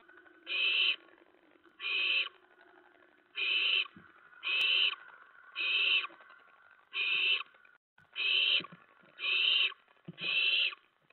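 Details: Owlets in their nest after midnight on 10 September 2017, while adults bring a rat and mice; nine steady, breathy screeching hisses, each about half a second, spaced around 1.3 seconds apart.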